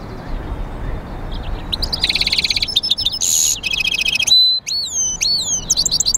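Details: A goldfinch mule, hybrid of European goldfinch and canary, sings a varied song of rapid rattling trills, a buzzy burst and looping whistled slurs that rise and fall, loud and close over faint hiss.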